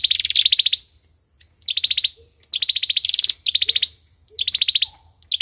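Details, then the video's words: Fighting song of the olive-backed sunbird: dense bursts of quick, high, ringing notes, some longer and overlapping, repeated with short gaps, plus a few faint low chirps. "sâu dừa hót đấu"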